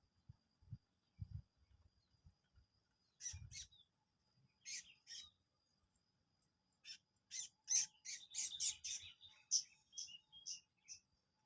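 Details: Mossy-crowned prinia lure song with scattered high, sharp chirps, sparse at first, then a denser burst of rapid notes near the end, and low knocking thumps early on.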